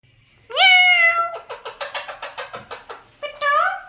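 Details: Alexandrine parakeet talking, imitating a cat: a long harmonic meow-like wail, then a quick run of about a dozen sharp clicking pulses, ending with another rising meow.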